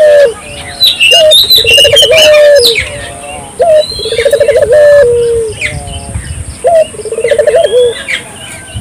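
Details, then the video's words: Dove calling vigorously, used as a lure to prompt local doves to call: a rolling, trilled coo rising then held, repeated about every two and a half seconds, with high chirping from other birds above. "suara burung puter gacor,merangsang burung puter lokal ikut gacor"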